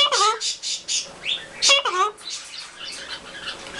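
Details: Green-winged macaw pair and baby saying hello and I love you: a series of rapid squawky syllables, then two gliding word-like phrases, fading into softer chatter.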